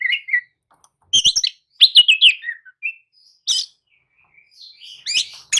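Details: Oriental magpie-robin song used as pancingan to rouse sluggish birds into answering: scattered short whistled and chirped phrases with sharp clicks and long silent gaps.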